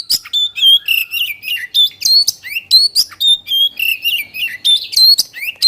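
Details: Energetic Oriental magpie-robin song in 'gacor' style for stimulating other birds: bright looping whistles, sharp upward flicks and harsh chips follow one another with tiny gaps.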